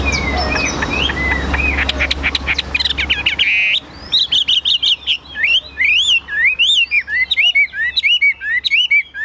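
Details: A tame captive Chinese hwamei, at first shy of the nearby camera, sings loud, clear, high whistled phrases that swoop up and down in quick succession, after a few seconds of low hum and clicking noises.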